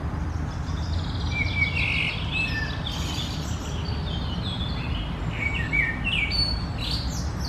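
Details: Common blackbird singing short warbled phrases of mid-pitched fluty notes and higher twittering over a low rumble of wind or distant traffic, on a morning, 1 June 2020.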